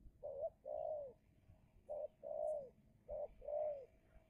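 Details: A spotted dove used as a decoy, cooing while luring a wild spotted dove in a fierce calling contest: three paired phrases, a short low note then a longer rolling coo, repeated about every 1.2 seconds.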